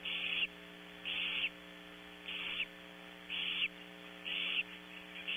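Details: A female barn owl with owlets in a nearby cavity at Audubon Starr Ranch, California, gives harsh, breathy hissing bursts, each under half a second, about once a second, over a steady low electrical hum. A male kestrel's snuffly sounds may also be audible.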